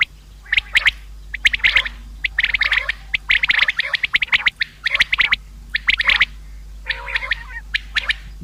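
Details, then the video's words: Common quail, sound for hunting: dense clusters of short, bright high notes repeated around once a second, with a lower wavering squawk toward the end. "Bedana new common quail sound | शिकार के लिए बटेर की आवाज | btair ki awaaz | بٹیر"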